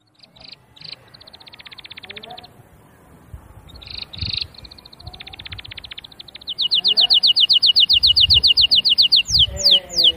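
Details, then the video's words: Canary singing: soft, buzzy trills broken by short pauses, then a loud, very fast rolling trill of clear high notes from the middle onward, ending in quick sweeping whistles. "تغريد الكناري بصوت جميل"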